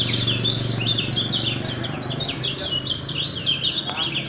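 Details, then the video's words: Fast, crowded song of a kecial kuning (Lemon-bellied white-eye), 'speed rapat fighter' style: nonstop high twittering with quick rising and falling slurs, steady in volume, a low hum and a brief click near the end. "KECIAL KUNING SPEED RAPAT FIGHTER (BURUNG KACA MATA LOMBOK)"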